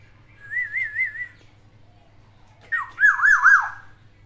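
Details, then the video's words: Caged black-naped oriole singing borrowed phrases in three variations: a smooth wavy whistled trill, a pause, then a loud harsh note sliding into a series of looping, dipping whistles; faint low hum behind. "CUKUP PUNYA SATU KEPODANG ISIAN TIGA VARIASI"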